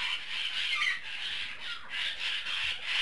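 A budgerigar keeps up a steady, scratchy warble of mid-to-high chatter, broken by a few quick falling chirps, with nothing else clearly heard.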